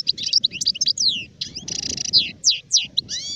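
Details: European goldfinch, an adult, singing in 2019: dense liquid twitter of quick slurred whistles, downward sweeps and a nasal buzzy trill in the middle, nearly continuous throughout.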